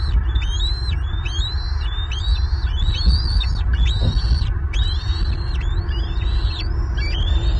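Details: A fledged bald eagle family in Southwest Florida, April 2023, with the eaglets back at the nest after splashing and fighting at a pond. A steady string of high, thin, arched whistles piles into rapid chatter, all over a loud, deep background hum.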